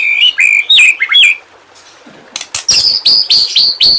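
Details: Murai batu, the white-rumped shama, in training song for lazy singers: slurred whistled notes first, a brief quiet pause, then a rapid series of loud, sharp, high chipping notes.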